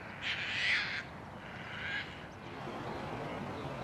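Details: Harsh, grating calls from a tern colony on an abandoned rooftop by the Cataraqui River. A loud raspy call lasts under a second, a weaker one follows, then steady background noise.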